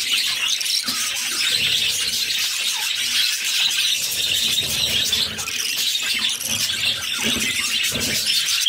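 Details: Budgerigar young, six chicks being fed by the mother in captivity, squeal continuously in a harsh, high chatter, with occasional faint clicks beneath.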